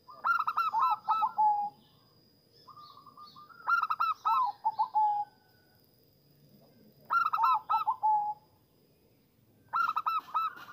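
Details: Zebra dove song for luring and stimulating zebra doves: four loud phrases of rapid, stuttering coos, each ending on a lower drawn-out note. A low hiss and a faint steady high whine run beneath.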